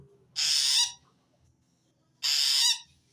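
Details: Long-tailed shrike giving a strange call that draws wild shrikes and signals it feels threatened by another shrike: two loud, harsh, rasping bursts, each about half a second, spaced nearly two seconds apart, over faint low background hum.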